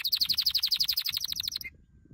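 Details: A canary's training song, a bright, rapid trill of evenly spaced high notes that ends on one short whistled note, then falls quiet.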